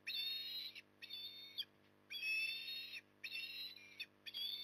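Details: Osprey calling while feeding in the evening at Port Lincoln, Australia, 9 October 2020; shrill, piping whistles with slightly rising tones, given in uneven runs of long and short notes, with faint mechanical hum beneath.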